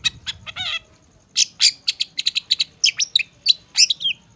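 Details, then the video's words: Long-tailed shrike training and lure song packed with varied phrases: an opening nasal, harmonic note, then a dense, rapid run of sharp chips, buzzy bursts and quick downward whistles, over a faint low rumble. "Masteran Suara Cendet No #1❗Pancingan Cendet FULL Isian"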